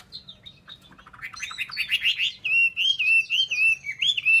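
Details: Chinese hwamei song opening with soft notes, rising into a fast buzzy jumble, then a clear, wavering whistled phrase held for about two seconds.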